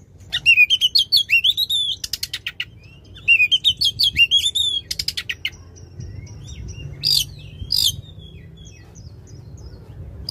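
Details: Oriental magpie-robin in loud song meant to rouse a quiet magpie-robin: two rapid runs of sharp chirps and wavering whistles, followed by a calmer stretch of thin, sparse high notes.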